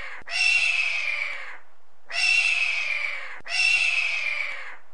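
A hawk gives three hoarse, raspy screams, each about a second long and slightly falling, spaced a second or two apart.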